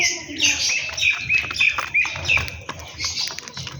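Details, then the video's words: Sparrows chirping while eating food in the morning: a busy stream of short, bright, high chirps and quick twittering notes, several overlapping, with brief downslurred squeaks and a few louder peaks throughout. "Sparrows Chirping Sound/ birds food eating / birds chirping/Morning scenes"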